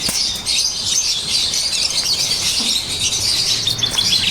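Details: Caged blue opaline lovebirds kept as pets in Pakistan, a loud, unbroken wall of shrill, high chirps from several birds calling at once.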